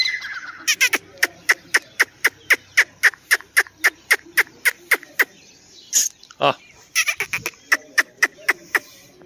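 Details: Grey francolin, compared as Dakni and Irani types: a long run of sharp, clicking notes repeated about four times a second, with a louder burst near the middle and faint insect hum beneath.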